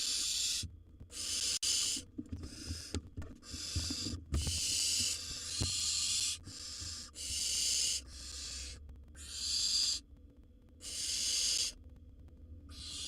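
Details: Wild barn owl nestlings in a monitored nest box as one swallows a bird its sibling tried to steal; repeated harsh, breathy screeching hisses roughly a second long, coming in steady succession with rustling between.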